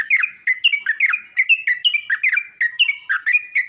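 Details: Yellow-vented bulbul calling out to other bulbuls, a rapid stream of rich, bubbling whistled notes, each one short and bending in pitch, delivered almost without pause.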